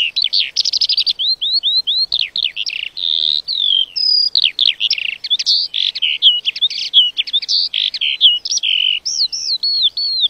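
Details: Extended lark song with fast repeated trills, descending whistled slurs and busy twittering phrases, one after another for ten seconds without a pause.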